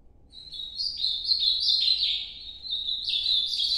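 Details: Ultramarine grosbeak (Cyanoloxia brissonii) of Northeast-style song sings a rich, warbled phrase of sliding, high whistled notes that rise and fall without a pause over a quiet background.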